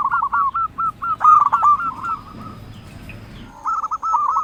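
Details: Local zebra dove singing to call out rivals and stir other doves to reply: a quick string of short, staccato mid-pitched coos with a louder cluster, a quiet gap, then the rapid cooing resumes.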